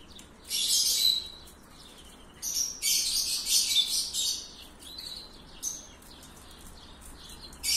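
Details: Copper-coloured canary singing: high, bright warbled phrases in loud bursts of about a second, separated by short quieter pauses and scattered single chirps, with a final burst starting at the end.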